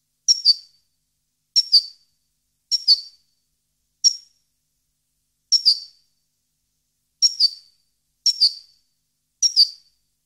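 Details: High, clipped two-note calls from a goldfinch of subspecies parva in 2015. Eight phrases are spaced about a second apart, one of them a single note, with nothing else audible.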